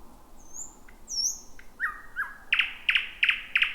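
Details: First thrush nightingale of 2026 singing at night in thick cover; thin high slurred whistles and two lower sliding notes lead into four loud, evenly spaced, chopped notes.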